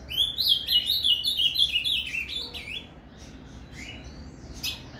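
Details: Paraná-style song of an ultramarine grosbeak, played to excite a captive azulão: a fast run of warbled, bubbling whistles lasting about two seconds, then a pause and a softer rising note with a few faint chips.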